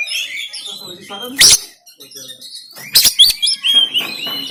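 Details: Oriental magpie-robin in Banten, Android phone recording meant to goad a silent bird into song and tail-spreading. Thin high whistles and chatter, two explosive rasping bursts, then bright rising notes.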